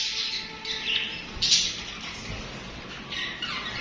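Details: Overlapping budgie chatter, a continuous stream of harsh, scratchy squawks and chirps from several pet parakeets, with a faint steady tone underneath.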